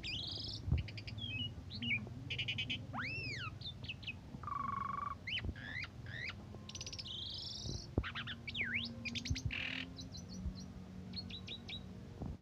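An Asian pied starling sings a varied jumble of rising and falling whistles, buzzy bursts and harsh chattering notes, over a steady low hum.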